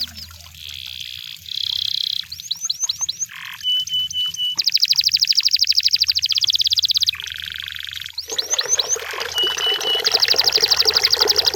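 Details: Canary singing in the wild: buzzy rolls and piping notes, then a long fast trill, a coarse burr, sweeping slurred whistles and a final rapid trill over a lower chattering undertone.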